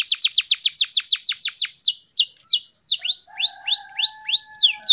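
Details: Canary singing speed rapat, a lure recording: rapid down-swept notes, slower slurred phrases, then arched whistles repeated about twice a second over a faint low steady tone.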